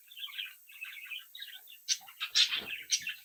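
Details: Captive budgerigar chicks give soft rapid warbling chirps, then a burst of louder squeaky, scratchy notes with clicks.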